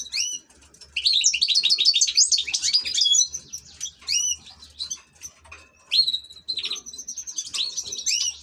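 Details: European goldfinch kept as an ornamental bird pours out a long, rapid, jangling twitter, then a sustained high whistled note and further bright chirpy phrases, with low hum underneath.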